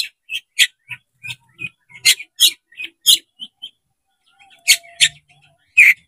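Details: Oriental magpie-robin (kacer) opening its tail, its song meant to provoke a fight: quick, clipped chirps and short bright notes, with a soft low thump-like sound underneath at times.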